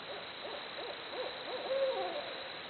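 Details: Barred owl hooting somewhat distantly: a quick evenly spaced run of short hoots followed by a longer, sliding drawn-out final note over a soft hissing background.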